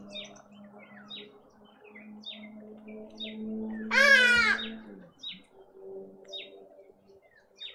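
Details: Hornbill at a feeder in a suburban garden in Pretoria, South Africa: one loud, nasal, harmonic-rich squawk lasting about a second, rising then falling, over a steady low hum and scattered high chirps from small birds.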